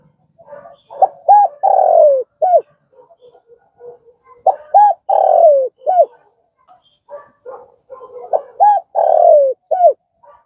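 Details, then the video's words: Spotted dove cooing, recorded for training a newly caught dove to coo. Three low phrases about 3.5 seconds apart, each with soft lead-in notes, two short coos, a long drawn-out falling coo and a short closing coo. "Tiếng cu gáy"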